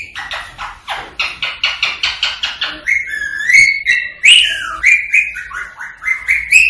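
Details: Green rose-ringed parakeet from India chattering and whistling, meant to spur singing and mating: a steady string of about thirteen clipped notes, followed by bright, wavering whistled phrases.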